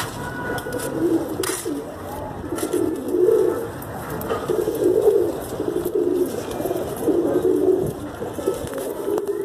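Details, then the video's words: Pigeon giving repeated deep, burbling coos, each phrase lasting roughly a second and recurring steadily every second or two through the recording, with a faint steady hum and occasional clicks behind. "all quality kabutar"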